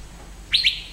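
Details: Asian fairy-bluebird call from moist evergreen Western Ghats forest: one clear, liquid two-part whistle, both parts swooping upward, set against low steady background hum.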